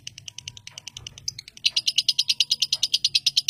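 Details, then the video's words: Lovebird chattering while shaking its head, a rapid, even train of harsh, high chips repeated about three times a second, growing louder and steadier halfway through, with faint low room noise beneath. "lovebird hampir kongslet ngekek sambil geleng geleng"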